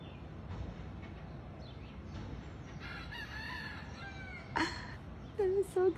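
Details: In Hawaii, a rooster crows once mid-clip, a long, harsh, wavering cry that falls away at the end. A woman talks at the start and close.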